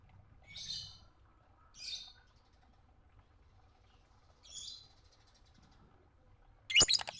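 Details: Lovebird calls used as early tutor material: three short, buzzy high chirps spaced a second or more apart over a quiet background, ending with a sudden loud sharp click.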